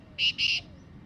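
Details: Free-living black francolin heard in jungle, giving two loud rasping, buzzy notes in quick succession, the second slightly longer, over faint low background noise.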